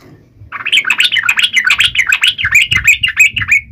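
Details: Yellow-vented bulbul singing to mock rivals, one continuous fast bubbling warble of looping notes over faint low background rumble.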